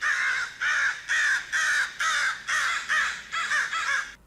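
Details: Crow cawing, played as an example of animal communication: nine harsh, loud caws in steady succession, roughly two per second, each with a raspy, broad tone; no other sounds.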